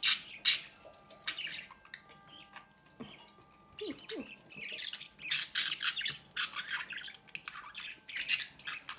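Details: Budgerigar parents feeding chicks at the nest door; rapid scratchy squawks and chirps in irregular clusters, with a few faint lower chirps in between, indoors.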